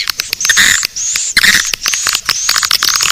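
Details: Swiftlet calling sound, the 'Naga Birahi' style used as a lure to attract swiftlets: dense rapid clicking mixed with high, thin, level whistled tones in bursts of about half a second, with brief gaps between bursts.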